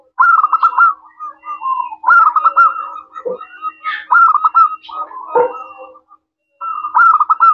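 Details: Local zebra dove with a clear 'crystal' voice, used as a lure so other doves answer: repeated rolling coo phrases, broken by two short, lower, rougher sounds from another source partway through.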